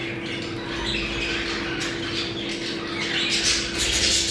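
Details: Budgerigars chattering in a sound meant to bring birds into breeding condition: dense, scratchy warbling and squawks over a steady low electrical hum, with a rise in louder chirping near the end.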